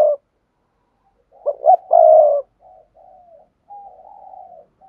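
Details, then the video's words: Urging coo (thúc gù) of a spotted dove, played to train new young doves: one low, husky phrase of two short notes and a long coo, followed by soft, drawn-out trailing coos. "tiếng chim cu gáy thúc gù"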